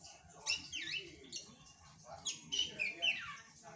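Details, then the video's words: Juvenile drongo in lively full song, called a champion in the making: rapid mix of swooping whistles, downward slides and short sharp chips, delivered in a fast, irregular stream with a low hum behind. "Kicauan Gacor Srigunting Anakan, Calon Juara"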